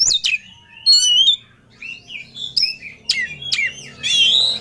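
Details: Kacer, the Oriental magpie-robin, in full emotional song seeking a rival; clipped high whistles, buzzy trills and sharp ticks alternate with brief quiet gaps, ending in a sustained harsh warble.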